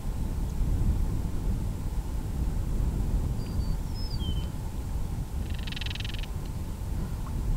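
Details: Northern Crested Caracara, disturbed in breeding season, utters one coarse rattling burst late on, preceded by thin whistled notes of another bird, with steady wind noise beneath. Canon SX70HS recording.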